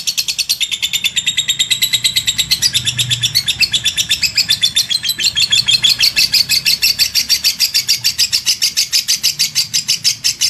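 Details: Lovebird in extended ngekek chatter: a fast, unbroken series of harsh, high notes lasting over ten seconds, rising in intensity and pace toward the end.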